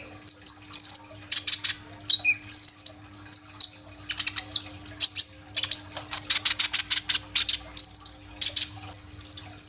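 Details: Kolibri ninja sunbird singing 'gacor' with 'roll tembak' rapid fire, phone-recorded on an Oppo A37f: short high warbles broken by long fast bursts of sharp, buzzy chips repeated in tight runs.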